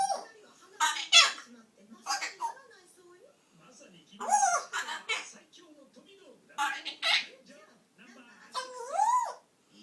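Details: A pet grey parrot, noisy on top of its cage, gives loud bursts of speech-like chatter mixed with rising, looping whistles, roughly every two seconds, in a quiet room.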